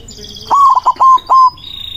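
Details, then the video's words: White zebra dove singing in the manggung style to call rivals: one loud, low cooing phrase, a held tone followed by three short stuttering notes. Small birds chirp faintly higher up in the background. "PERKUTUT PUTIH GACOR SUARA BESAR AMPUH MEMANGGIL LAWAN BUNYI MANGGUNG"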